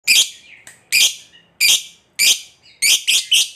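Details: Lovebird calling in a long trilling chatter meant to lure other lovebirds into singing: harsh, buzzy high bursts repeated roughly every half second, ending in a quick run of notes.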